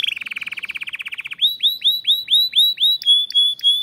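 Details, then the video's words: Caged canary at a breeding room. A fast low rolled trill gives way to a slower series of swooping downward whistles, then short clipped notes. "O CANTO desse CANÁRIO,vai esquentar seus filhotes"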